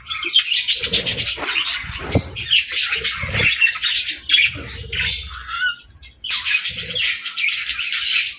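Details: Pet budgerigars chirping and playing in the evening, a dense chorus of overlapping warbling chatter, squawks and chirps from several birds, with scratchy fluttering sounds and a short lull near the end.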